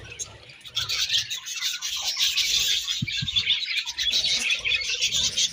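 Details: Budgies chatter in a constant high-pitched stream of chirps and buzzy warbles, rising in volume after the first second, with two brief low knocks.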